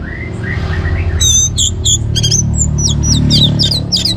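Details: Energetic orange-headed thrush song meant to get other birds singing: a soft low warble, then a fast series of high curved notes and short trills, repeated rapidly over a continuous low hum.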